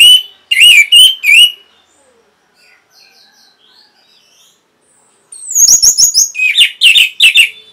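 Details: Orange-headed thrush singing energetically for training caged birds: three loud, looping whistles, a gap of soft distant notes, then a high descending whistle leading into rapid, ringing, warbled phrases.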